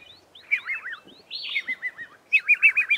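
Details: Red-faced Mousebirds in a group calling back and forth in an Acacia tree, close by; short wavering whistled phrases from several birds, ending in a quick rapid trill of repeated notes.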